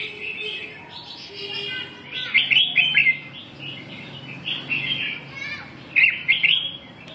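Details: Red-whiskered bulbul sings several rich, rolling warbled phrases with sharp trilled peaks. The phrases are spaced a second or two apart over a steady faint background hum.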